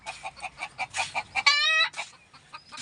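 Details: Native hens on a rooftop among wild vegetation calling repeatedly: quick, rhythmic clucks, then one drawn-out, nasal, tonal squawk.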